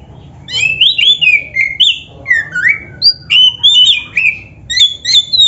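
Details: Oriental magpie-robin, black-breasted kacer, loud song for stimulating caged birds: varied whistled notes, upward and downward slurs, delivered in quick succession with short pauses.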